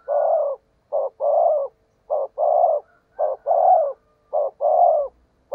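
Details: Spotted dove decoy cooing, 'thúc gù' in the 'giọng thổ đồng' style, fast tempo. A steady rhythm of one short note followed by a longer hollow coo, repeated evenly about four times.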